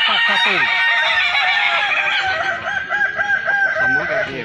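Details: Balenggek cocks crow at a festival held in Solok City. Busy strings of short bouncing syllables run one after another for several seconds, and several birds overlap throughout.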